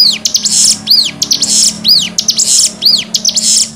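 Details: Cigun song variation for tutoring untrained birds, with a repeated phrase about once a second made of arched, falling whistled notes mixed with buzzy high bursts, given indoors over a low hum.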